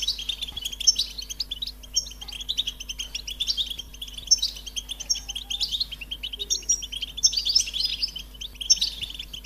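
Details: Bright, tinkling song of a European goldfinch: repeated bursts of sharp, high chirps and liquid trills over a steady chatter, with a faint low hum beneath.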